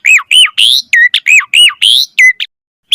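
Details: Asian pied starling, song used to lure wild starlings: repeated looping downslurred whistles alternating with buzzy harsher notes, a fast rhythmic pattern of about ten phrases before a short gap.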